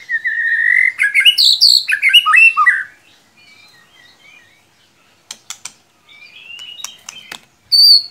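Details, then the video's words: White-rumped shama song played as a lure to stir a quiet shama into singing: a loud burst of rich slurred whistles and fast chattering notes for three seconds, then sparse thin whistles and sharp clicks. "Solusi murai ngiriwik kurang gacor cukup dengarkan suara pancingan ini pasti nyangut"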